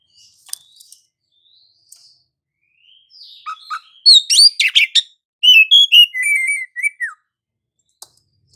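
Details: Oriental magpie-robin singing as a lure meant to set other magpie-robins singing, described as a rolling, lively singer; faint high notes, then a dense run of sharp chirps and clear whistled slurs stepping downward, about two per second.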